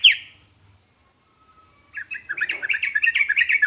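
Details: Yellow-vented bulbul (trucukan) song meant to draw replies from other trucukan: one sharp opening note, near silence, then a rising stream of quick bubbling, chattering notes.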